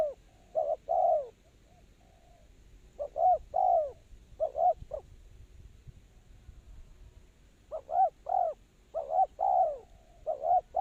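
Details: Spotted dove used as a lure for trapping, giving low mellow coos in bursts: a short clipped double note followed by a longer downward-sliding coo, phrases separated by pauses of a few seconds over faint background noise.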